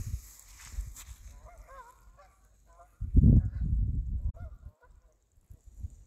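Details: Canada geese passing overhead in flight, wavering nasal honks in a few bursts, partly drowned by a loud low rumble of wind or handling noise midway.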